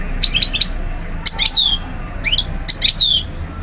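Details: European goldfinch recorded in Algeria in 2012, singing quick tinkling notes, then rising and falling slurred whistles in tight clusters, with a low hum beneath.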